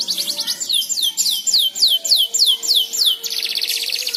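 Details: Young canary practising its twittering song, known locally as ngeriwik, prompted by another canary's song: a run of fast downward-sweeping whistled notes about three per second, ending in a rapid buzzy trill.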